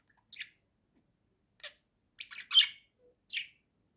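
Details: Domestic budgerigar perched on a swing and chattering, one of two kept together. Brief, sharp, buzzy chirps come in separate bursts with short silences between, ending on a louder cluster of scratchy twitters.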